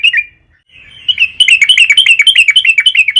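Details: Vigorous lure song of a yellow-vented bulbul: a brief chirp, a short pause, then a fast run of bright, bubbly, warbled notes tumbling roughly four per second, loud and clear over a faint low hum.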